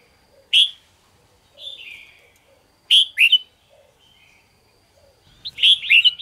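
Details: Caged red-whiskered bulbul singing in the morning: isolated loud whistled bursts spaced by pauses, a soft slurred phrase, then a closing cluster of rapid bright chirping notes.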